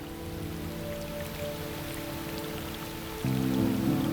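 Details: Soft sustained music tones over a patter of rain, swelling louder near the end, with no animal voice heard.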